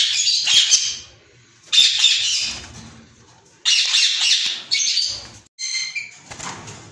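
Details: White ringneck parakeet pair kept in captivity: loud, rough screeching squawks in repeated bursts of about a second each, with a few clearer, higher tonal notes near the end.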